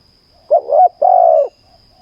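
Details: Spotted dove at a ground decoy session, one phrase: a brief wavering double coo followed by a long, steady, slightly falling coo.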